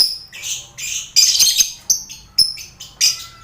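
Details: Caged colony lovebirds kept together with finches and quail, used to train contest birds; sharp, high squawks and short piercing notes come in quick succession, several strong bursts within a few seconds.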